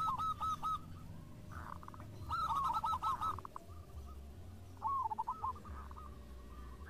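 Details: Local zebra doves answering each other in song: short bursts of quick, rolling coos in three separated phrases, fairly quiet over a low steady background hum.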